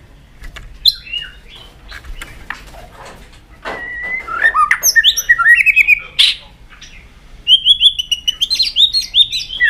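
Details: Kept white-rumped shama pushed to sing: soft clicks and scattered chips, then bursts of loud slurred whistles and high chattering trills.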